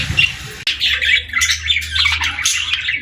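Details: Pet parakeets playing, singing and talking indoors: dense, busy high chirps and squawky twitters overlapping continuously, with a low steady hum underneath.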